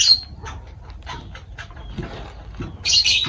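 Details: Shrill piercing squeaks and harsh squawks from pet lovebirds during feeding open and close a short passage, with softer chirps and light tapping in between.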